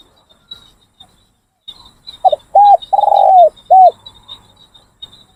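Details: Captive decoy Spotted Doves cooing during a training session, with no wild birds coming in: a short burst of two clipped coos, a long drawn-out mellow coo, then one final short coo, over a faint steady high insect hum.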